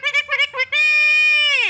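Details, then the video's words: A talking Alexandrine (hill) parakeet in a quarrelsome, scolding mood speaks three quick word-like syllables, then draws out one long, nasal, shouting note that drops at the end. "ঝগড়ুটে কথা বলা টিয়া পাখি"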